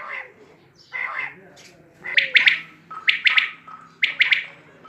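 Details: Quail calls: a couple of muffled, lower phrases, followed by crisp, loud triple-note bursts about once a second, over a thin steady tone and low hum.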